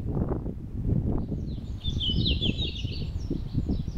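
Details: Red-flanked bluetail, a forest songbird, sings a high, twittering warbled phrase with quick slurred notes lasting about two seconds. Strong low rumbling noise, like wind or handling, runs throughout.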